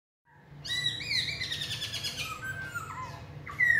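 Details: Black-throated laughingthrush of large build singing in its forest-voice style: loud clear whistled phrases with descending slurs and rich buzzy harmonics, ending in a sharp high whistled note.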